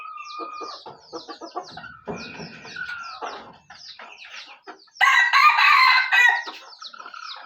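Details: Aceh red junglefowl, burik speckled type: clucks and faint chirps lead up to one loud, rough crow lasting over a second, then quieter high chirping.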